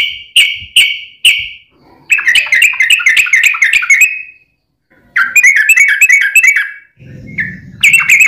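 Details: Yellow-vented bulbul giving long rolling 'ropel' lure song to provoke other bulbuls into singing: three spaced whistled notes, then two rapid bubbly chattering runs, with a brief low rumble before the final notes.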